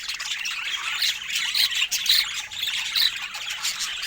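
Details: Pet budgerigars kept with other parrots, chattering together in a dense, continuous stream of high, scratchy chirps and squawks, with brighter whistled notes breaking through around the second and third seconds.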